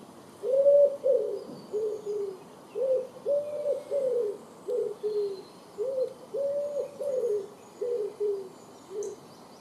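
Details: A Common Wood Pigeon (Columba palumbus), just landed near houses, gives its low, soft cooing song, phrases of several throaty, rhythmic coos repeated in a measured, rolling pattern.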